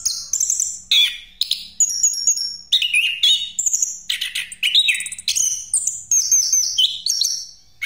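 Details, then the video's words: Used as a lure, an orange-headed thrush sings a continuous rolling pastol song, packed with rapid high whistles, sharp chips and buzzy trills that follow one another almost without pause. "Anis Kembang Pastol Ngeroll Buat Pancingan"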